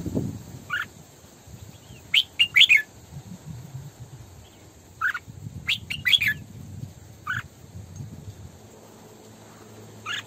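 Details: Female Red-whiskered bulbul serving as a decoy for training morning song and for trapping: several short, sharp chirped phrases, some clustered in pairs, at irregular intervals over about ten seconds, with faint low background noise.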